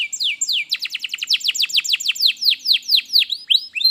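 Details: Canary singing, played to coax a lazy canary to sing: a fast series of sharp downward-sweeping whistled notes repeated several times per second, slowing slightly toward the end, clear and high.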